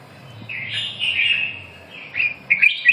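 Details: Red-whiskered bulbul giving a drawn-out, slurred whistle followed by a few quick chirpy notes near the end.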